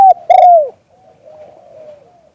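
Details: Spotted dove in liu tan song style, recorded live, gives a short note then a loud, throaty, downward-bending coo, trailing off into a quiet, low, wavering murmur.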